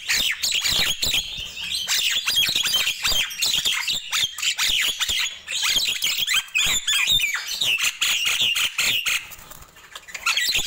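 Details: Morning song of Nias hill myna, lively and crowded: harsh squawks mixed with high whistled slurs pour out continuously for the whole stretch, barely pausing.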